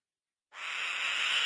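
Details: Black-winged kite giving one harsh, hissing screech that starts abruptly and holds steady for about a second, rough and broadband with no clear tone; no other sounds.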